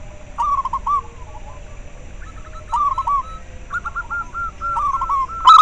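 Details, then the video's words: Zebra dove of the local type, used to encourage breeding behaviour and singing in captive doves and as a lure; quiet start, then trilled coo phrases at about 1, 3 and 4 to 5 seconds, ending in a sharp louder note. "Perkutut lokal suara ampuh untuk merangsang terapi masteran dan ahli pikat"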